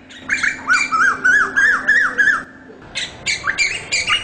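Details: Asian koel uttering a brisk run of rising-falling whistled notes, about four per second, then a brief gap before a further burst of sharper calls.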